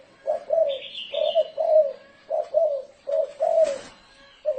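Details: Spotted dove giving a 'thổ rền' style cooing call, used as a decoy to lure wild doves. Low, mellow coos come in short clustered phrases of two or three notes. A brief higher chirp and a short noisy burst are also heard.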